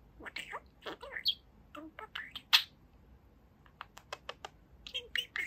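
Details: Two-year-old pet budgerigar talking indoors, a fast run of scratchy, clicky syllables and buzzy chirps mixed with warbled word-like sounds, irregular and busy, with a few brief pauses.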